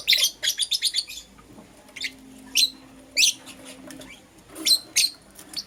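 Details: In the morning, Green Personata and Yellow Pastel Pied lovebirds let out a quick string of about seven sharp, high chirps, followed by spaced single squeaks and a final pair of shrill notes.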